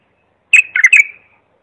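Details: Bulbul singing a clear tutoring phrase for young bulbuls learning to sing: one short warbled burst of three rich, whistled notes with buzzy overtones, lasting under a second, in an otherwise quiet background.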